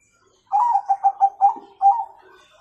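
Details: Bangkok-type zebra dove singing with a 'kung' tone, used as a master recording to train young birds: a quick run of five low, even coo notes, then a longer drawn-out coo, in a quiet setting.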